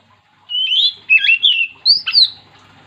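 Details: Oriental magpie-robin in strong song, a sound meant to make other magpie-robins join in: a sustained whistled note, then two quick twisting phrases and a final high sweeping whistle, all loud and clear over near silence.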